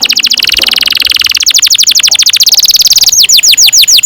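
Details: Long canary roll used to coach young canaries: a dense, rapid rattling trill of high notes that slows into distinct loud downslurred whistles near the end.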